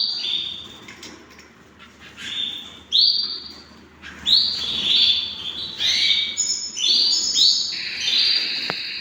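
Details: Hand-tamed pet canaries in a busy stretch of overlapping bright whistled notes and rising chirps, growing denser toward the end into near-continuous high trilling.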